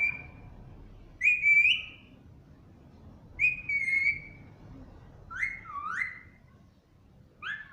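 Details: Caged pet Alexandrine parakeet (pahadi parrot) uttering loud, ringing squawk-like calls in short bursts about every two seconds, the later ones dipping and rising in pitch; quiet room between calls.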